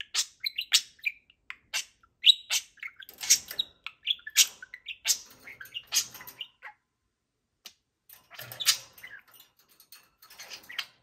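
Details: Lively pet budgerigars bouncing around on a Friday morning keep up busy chatter of clipped chirps, buzzy squawks and warbles, falling quiet for about a second before starting up again with more scratchy notes.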